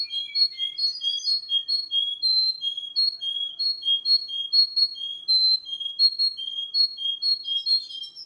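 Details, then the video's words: Russian canary singing a long run of clear short whistled notes alternating between two pitches at a steady pace. "russian canary"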